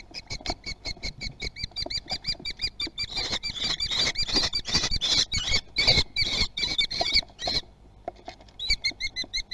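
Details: Nest of common kestrels in Théding on 18 June 2020, with an adult delivering a lizard. Rapid, high, chattering calls run almost without pause, overlapping with scratching and movement noises, then briefly stop and resume.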